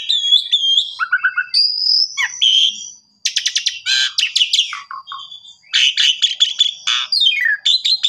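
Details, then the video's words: Jalak suren song for training canaries: bright whistles and low dropping notes, a brief silence, then harsh rattling bursts and rapid chatter with downward-sweeping squeaks. "Pancingan Jalak Suren Cocok Buat Masteran Burung Kenari Bongkar Isian Gacor"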